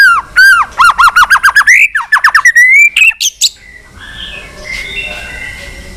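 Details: White-rumped shama fighting song: a fast string of loud, looping whistled notes, about a dozen in three seconds, rising gradually in pitch, followed by softer distant whistles.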